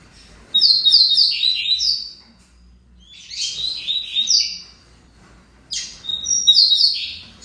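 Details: Tournament-type double-collared seedeater singing three bright phrases of rapid, high twittering notes with slurred chirps, each phrase lasting about a second and a half and separated by short silences, in a quiet setting.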